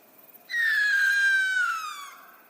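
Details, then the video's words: A Sooty Owl, an Australian species, gives a single loud, shrill scream that starts high and slides steadily down over about a second and a half, like a falling whistle, sounding like a human or baby in distress. "it sounds possessed or something yeah it just doesn't sound like a bird it sounds like a human in distress of some kind let's hear it again"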